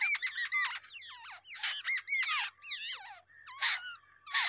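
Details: Two young wild babblers being fed by an adult give loud, squeaky, downslurred calls in quick runs, with wavering squeals and short harsh bursts between them.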